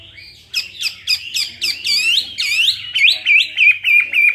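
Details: Fighting song of a two-year-old caged Chinese hwamei: a fast series of bright, clipped notes, roughly three a second, shifting into looping, slurred whistles.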